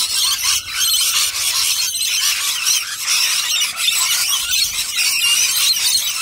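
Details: A large crowd of rainbow lorikeets feeding on nectar nearby keeps up an unbroken, rasping, high-pitched screech, many voices overlapping into a steady shrill roar.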